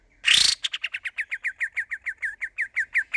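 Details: Sooty-headed bulbul; practice song; young bird learning to sing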